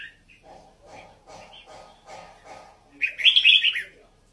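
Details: Red-whiskered bulbul of Vietnamese and Uttaradit lines: soft low murmured notes repeated about every half second, then a loud, rich warbled phrase bursting out near the end.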